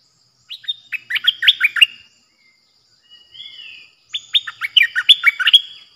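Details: Bulbul used as a decoy bird, 8 May 2021: two rapid bubbling phrases of choppy whistled notes, each about one and a half seconds long, separated by a quiet pause with a soft drawn whistle.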